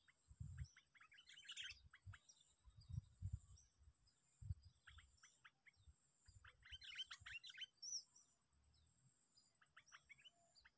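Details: Sooty-headed bulbul, a lure-caught bird on day six of a contest, giving bursts of quick bubbly chirping notes in clustered phrases with pauses between, over a steady high hiss and low thumps.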